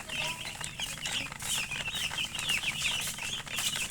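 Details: Many chicken chicks calling at once: high, thin, wavering peeps overlapping in a constant chatter, with occasional sharp clicks and rustling from movement.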